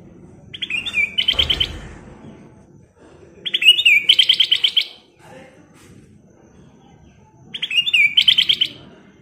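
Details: Golden-coloured ruby-throated bulbul singing energetically: three evenly spaced phrases, each a short whistled slur followed by a quick run of about eight repeated buzzy notes, with soft background murmur.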